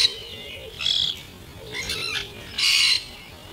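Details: Juvenile starlings from this year's first generation quarrelling over food, slowed to 50% speed; three rasping, hissy bursts, the last one longest and loudest, separated by quieter stretches.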